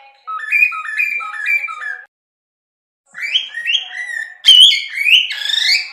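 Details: A cockatiel sings a string of stepping, rising whistles, then falls quiet. It resumes with louder sweeping notes that end in a sharp, bright upward slide.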